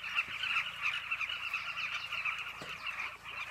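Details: Southern carmine bee-eaters at their nesting holes on a Zambezi River bank in Zambia, giving a somewhat softer, continuous babble of quick overlapping chirps from many birds.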